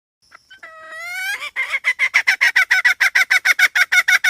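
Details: A hen starts with several stretched, rising nasal notes, then breaks into quick, evenly spaced hoarse clucks at roughly three per second that get louder as the series goes on.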